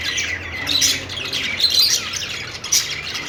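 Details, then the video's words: A cheerful budgerigar on its perch chatters in rapid, high twittering squeaks and short squawky notes, mixed with a few clear whistled chirps, all run together in an unbroken warble. "cute budgie making happy sound,budgies singing on perch"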